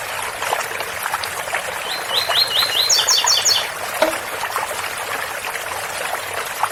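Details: Double-collared seedeater in a special Ouro Fino tui-tui song with running water: a row of rising whistled notes quickly followed by higher, doubled, tinkling notes, over a dense splashing background.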